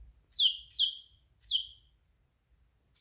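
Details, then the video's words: Chick chirping with loud, descending high peeps, two close together then a third after a short gap. "Funny chicken sound || chick chirping"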